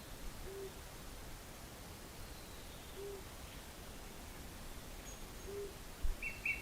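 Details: A Flammulated Owl on Big Pine Mountain in the breeding season gives soft, low single hoots about every two and a half seconds, while a western wood-pewee, a western tanager and other birds call faintly in the background.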